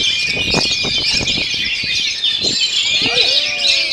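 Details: Oriental magpie-robin (kacer) singing in a fast, dense rolling style, a continuous torrent of high twittering, chattering and whistled notes with quick trills and sharp bursts, barely pausing; faint low sounds underneath.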